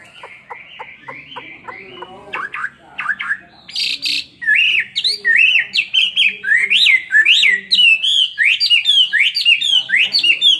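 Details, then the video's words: Chinese hwamei kept caged for two years giving fighting song: opens with short repeated chirps and a harsh squawk, then launches into loud ringing whistled phrases rising and falling in a fast continuous series. "Họa mi hót xòe hót đấu"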